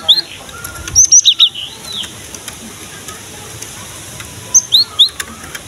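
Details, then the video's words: Cinereous tit singing, used as a lure call: a high upslurred whistle, then a quick cluster of four to five sharp notes, a long quiet gap, and three more rising whistles near the end. "KICAUAN BURUNG GELATIK BATU GACOR"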